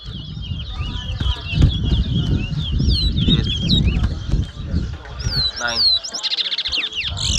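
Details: Chestnut-bellied seed finch (towa towa) in a 2022 bird whistling competition at Mahaica, Guyana: rapid, looping high whistled notes and twitters flow continuously over loud crowd chatter and low rumbling noise.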